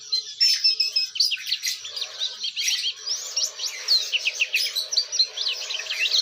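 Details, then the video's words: Oriental white-eye in lively, persistent ngeriwik-style singing: a dense, continuous high twittering of rapid thin chirps and short slurred whistles, tumbling without pause across the whole stretch, with a faint steady background hum beneath. "pleci gacor ngeriwik syahduuu"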